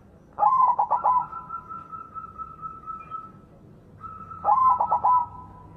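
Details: White-plumaged zebra dove in full, strong-voiced song, played as a lure to set silent doves singing; two bursts of rapid, rolling cooing notes, about five quick pulses each, a few seconds apart, with a faint steady tone lingering between bursts.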